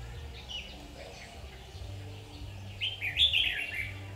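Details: Recorded while trapping red-whiskered bulbuls on 7 August 2019: a faint warble early on, then one louder, fast, twittering phrase of slurred notes, with a constant low hum behind.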